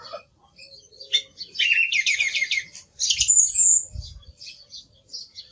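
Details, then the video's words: Song thrush song with a rapid stuttering phrase of repeated notes, then a sharp high whistle, among quieter chirps. "Sonido del Zorzal Comun - Sturz cantator - TURDUS PHILOMELOS"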